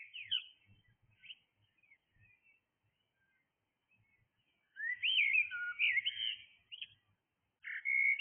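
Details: Early-morning blackbird song: brief scattered whistles, then a loud, rich warbling phrase with swooping notes, and a final clear sustained whistle, with light low rumbles in between.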